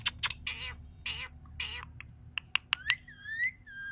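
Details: Speaking parrot produces three voiced, word-like syllables with rich harmonics, then sharp clicks and a long rising-then-falling whistle to close.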